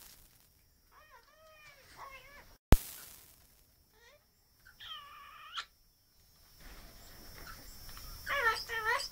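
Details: Hand-reared pet Australian king parrot chatting: short nasal, harmonic calls in separate bursts with pauses, a loud click near the middle, busier squeaky notes at the end.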